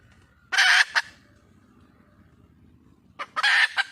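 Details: Two harsh, rasping squawks, each ending in a short cluck, come from a wild red junglefowl hen seeking a male, with a quiet gap between them.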